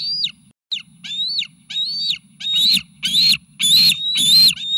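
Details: Nest-cam bald eagle triplets at Sauces, late May 2018, growing aggressive as food arrives: high whistled squeals, some arching down at the end, speeding up and turning harsher and louder into grating screams, with a steady low hum beneath.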